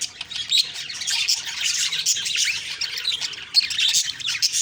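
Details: Morning chirping of budgerigars, October 2, 2023: busy, scratchy, high warbling with quick squeaks layered from several birds throughout.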